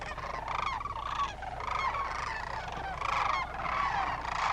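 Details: Thousands of migrating Sandhill cranes wintering at Willcox, Arizona bugle as a flock, easily riled by disturbance; rolling, trumpeting rattles overlap into a continuous loud chorus with no pause.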